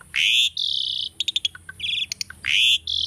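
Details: Asian starling, a tame pet, singing training song: long loud buzzy whistles alternating with rapid clicking trills and brief squeaks, the sustained buzzy notes opening and closing the passage.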